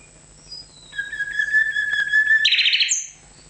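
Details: A nightingale holds a long, pure, steady whistle, then breaks into a fast, buzzy rattling trill with a brief high note to finish.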